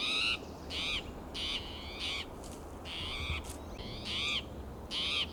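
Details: Restless spotted towhee hopping between oak and pine branches in California's Del Monte Forest, June morning: roughly eight raspy, rising mewing calls spaced about half a second to a second apart, loud and persistent against faint low rumble.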